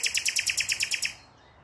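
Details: Common nightingale singing, recorded 5 May 2023: a loud, rapid series of about ten identical rich, percussive notes, evenly spaced roughly ten per second, stopping abruptly into near silence.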